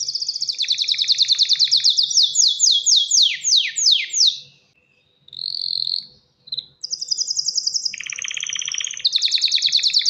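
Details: Mating song of a male canary calling to a female: a fast rolling high trill turns into sweeping descending slurs, then a brief silence, a short whistle and renewed buzzy pulsed rolls at two pitches.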